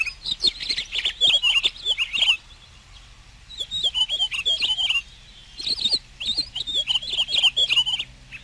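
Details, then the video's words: Pine grosbeak song: loud bursts of rapid, slurred whistles and twittering notes, delivered in three runs of roughly two seconds with brief quiet gaps between them. "Canto del Camachuelo Picogrueso"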